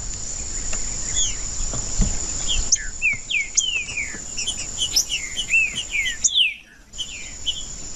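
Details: Male Green-winged saltator in provocative mood, singing to warm up other males: a lively series of clear, slurred, rising and falling whistles from about three seconds on, with a constant thin high-pitched tone beneath.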